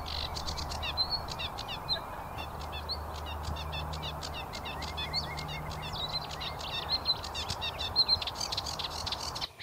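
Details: In spring at Higham Marshes, a reedy wetland beside the Thames in north Kent, a Sedge Warbler sings a fast, scratchy chatter of dry rattles and ticks, slipping in thin high piping notes copied from coot chicks; a low hum runs underneath.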